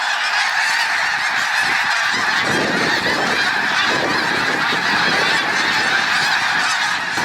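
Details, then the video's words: Huge flock of snow geese, thousands strong, flying overhead after taking off from water on a hike; relentless massed honking, bright and nasal, with wing rush swelling in after two seconds and continuing throughout. "Snowstorm in the Sky: The Breathtaking Flight of Snow Geese Overhead"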